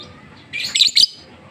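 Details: Lovebird singing in the ngetik style: a short burst of high, scratchy chirping lasting about half a second, rising to two sharper twittering peaks, over a low steady background hum.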